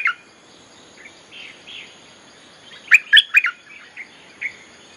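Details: Bulbul song played as a lure to call wild birds: a quick burst of four bubbly, warbled notes midway, with soft scattered chirps before and after against a quiet background.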